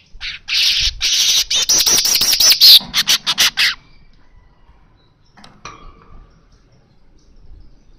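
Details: Loud baya weaver song of dry buzzing trills and rapid ticking notes for nearly four seconds, then quiet with a brief faint call.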